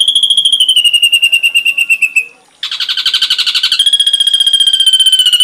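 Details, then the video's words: Ashy drongo tutor song: a fast, steady, high trill that falls slightly and breaks off in a brief pause. A harsher, broader rattling burst follows, then smooths into a clear, even trill again. "Masteran srigunting abu abu isian lengkap"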